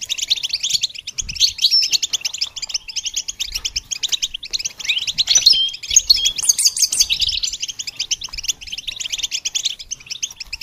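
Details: Goldfinch singing for songbird training, a continuous rapid twitter of bright chirps and buzzy trills with a few sharp whistled slurs near the middle.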